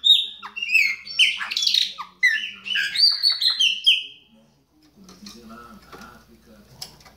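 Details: Chopi blackbird in the Baianinho style, pouring out a rapid run of loud whistled and squawky phrases, sliding and dropping notes, then fading, with faint low voices murmuring underneath.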